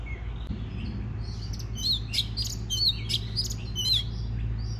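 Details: Oriental magpie-robin singing to stimulate other birds to sing: soft whistles at first, then a run of loud rasping bursts and sharp whistled notes in the second half over a constant low hum.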